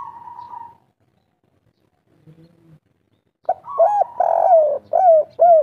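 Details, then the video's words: Local spotted dove (tekukur) giving 'kuk 3' song. A higher steady hum and faint low murmurs come first, then a burst of rounded coos with one long, sliding note in the middle. "derkuku kuk3 lokal gacor ngamuk"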